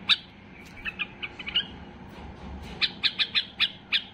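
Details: White-eared bulbul, locally called Basra bulbul, in peak excitement, singing to prompt other bulbuls to sing: a few short bright notes early on, a pause, then a fast run of six sharp, clipped notes near the end over a low background hum.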